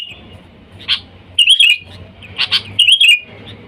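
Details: Lively sooty-headed bulbul calling to wild companions, a sound used as a lure. Short bright chirps come in pairs, then bubbly warbled phrases twice, over a soft low hum.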